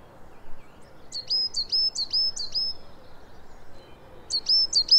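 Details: Coal tit song, rapid, high-pitched and slurry 'tisha tisha tisha': thin two-part notes repeated four or five times quickly, a pause, then the phrase begins again, over faint background noise.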